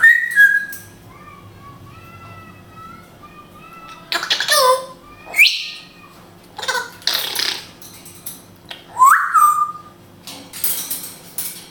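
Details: Pet African grey parrot in Israel speaking Hebrew: clear whistled notes, one falling, then a run of harsh, speech-like syllables and a sharp rising whistle that flattens out, with quiet indoor background.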